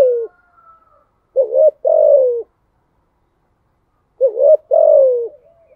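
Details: Spotted dove in THÚC GÙ style cooing, two phrases of short bent note then drawn-out falling coo, low and mellow, separated by a long silence.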